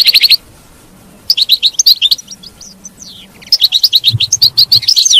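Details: Goldfinch song for encouraging a caged goldfinch to keep singing: runs of fast, evenly repeated bright chirps, about six per second, interrupted by a pause and a few sliding whistles.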